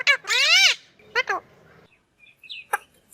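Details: A talking green parrot makes a drawn-out, voice-like harmonic call with a falling end, then two short bursts and faint scattered chirps over low hum.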